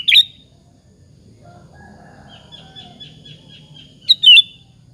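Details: Lure song of a sooty-headed bulbul singing in full voice to stir other bulbuls into answering: a loud chirpy whistled burst, a long faint wavering trill, then a second bright double phrase near the end.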